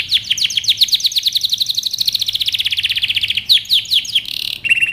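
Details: Canary singing: a long rapid trill of repeated chirped notes, about eight per second, sliding gently lower, then separate sharp chips, a short buzzy burst and a higher steady tone.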